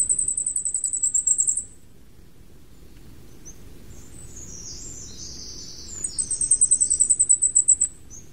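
Flamecrest giving two rapid runs of very high, thin, needle-like notes, about a dozen per run, separated by a fainter high hiss and low background rumble.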